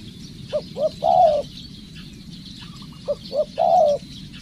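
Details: Decoy spotted dove in training cooing twice: each phrase two brief rising coos then a long steady coo, with faint quiet coos between and thin chirps of other birds in the background.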